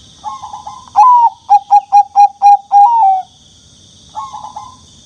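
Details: Very young turtle dove calling: soft notes, then a loud falling note, six quick evenly spaced clipped notes, another drawn-out falling note, and faint trailing notes, over a steady high-pitched background hum.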